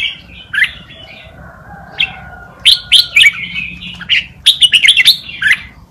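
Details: Tutor song of a red-whiskered bulbul for training young birds: sparse whistles at first, then a quick run of sharp, chirpy warbled notes toward the end, over a faint steady hum.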